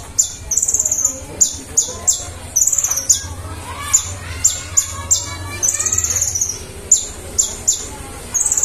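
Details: Sunbird (konin, kolibri ninja) singing actively and nonstop: very high, thin sharp notes and short rapid trills, repeated roughly every half second to second, with faint low background rumble.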